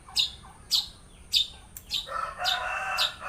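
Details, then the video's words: Long-tailed shrike singing with mimicked songs: sharp high chirped notes repeated at uneven intervals, followed by a sustained, richer warbled phrase in the middle range, recorded in a quiet setting. "cendet blora bongkar isian"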